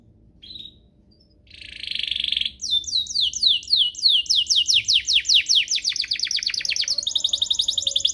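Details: Canary master song for tutoring young canaries: a short whistle, a harsh buzzy burst, then a long series of downswept notes building into a fast high trill.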